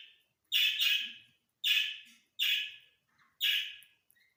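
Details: Grey francolin, a Dakhni teetar, calling during a breeding session: a series of loud, harsh, scratchy notes, a quick pair followed by three spaced single notes about a second apart, with little other sound.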